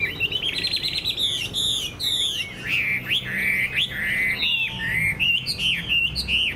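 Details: Caged Chinese hwamei, kept as a songbird and said to sing well, pours out loud whistled phrases: rippling high notes, deep downward slurs and bright upturned calls, with a low background hum.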